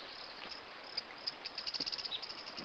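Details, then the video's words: Rufous-crowned Greenlet singing a quick, high trill of evenly spaced notes that ends on a slightly lower note, over a steady background hiss. "Canto do Pássaro Verdinho-coroado!"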